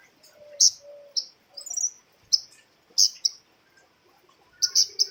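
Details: A female flowerpecker (cabai rimba), recorded for luring birds, gives sharp high tsip notes, singly and in quick twos and threes, against a quiet background with faint lower chirps.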